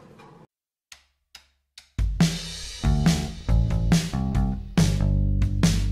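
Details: A few isolated taps, then a full drum kit with booming bass drum, snare hits and crashing cymbals playing a steady beat.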